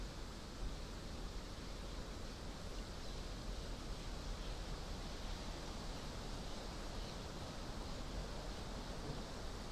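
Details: Steady rain hisses evenly in the northern forest near Hällögern, Sweden, on a summer evening, with no animal calls.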